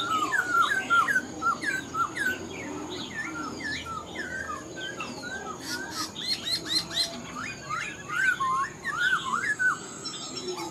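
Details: Black-throated laughingthrush, a cage bird caught wild, pours out rapid whistled phrases of rising and falling slurs, over a dozen in quick runs, mixed with high chirps and faint calls from other birds.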